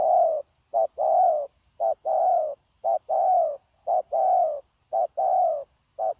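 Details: Wild-caught spotted dove used as a trapping decoy, cooing strongly and continuously in 'gù' style: loud low paired notes, a clipped coo then a broader falling coo, at a steady one-per-second rhythm with a faint constant high hum.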